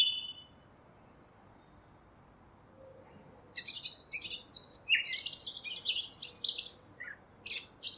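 A Eurasian blackcap gives a rich, fast warbling phrase of varied high notes ending in clear fluting whistles, after a short quiet pause and a single thin opening note.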